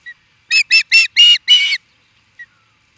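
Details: Osprey reacting to an intruder, Charlo, Montana, USA: a tight series of five loud, grating whistled cries, lengthening toward the end, bracketed by single soft chirps.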